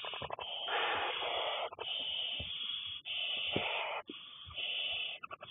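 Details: Six barn owlets in a nest being fed by a parent, recorded 2nd May 2020: long rasping, hissing snores, each about a second long, overlapping almost continuously with brief gaps.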